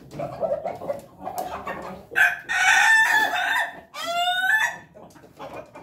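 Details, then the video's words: Pelung chicken rooster crowing: two loud, harmonic-rich crows with a drawn-out, wavering tone, preceded by softer clucking and background chatter. "ayam ketawa pelung berkokok"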